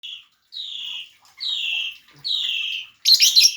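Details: Lovebird giving three drawn-out whistled calls that slide downward, each about half a second long, followed by a harsh, shrill chattering burst at the end.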